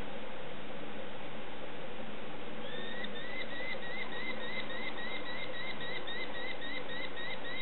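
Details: Begging young sparrowhawks at feeding: low rumble alone at first, then from about three seconds a fast series of sharp, rising high chirps continuing to the end.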